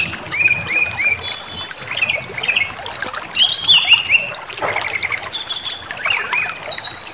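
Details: Provocation song of a brown-chested jungle flycatcher: a series of three level whistles, then high rising slurs, buzzy bursts and piercing upper notes in a varied, lively sequence.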